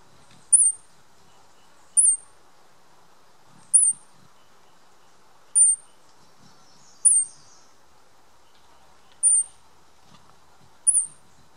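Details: A juvenile violet-tailed sylph perched in a garden at Santa Lucia Cloud Forest Reserve in October 2016 calls for its mother with seven thin, very high single chips spaced about 1.5–2 seconds apart over a quiet low rumble.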